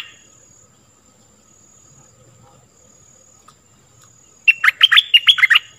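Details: Stripe-throated bulbul singing, from a recording meant to teach young birds and attract wild birds. A long near-silent stretch with a thin steady tone, then one lively, bubbling phrase of rapid up-and-down notes.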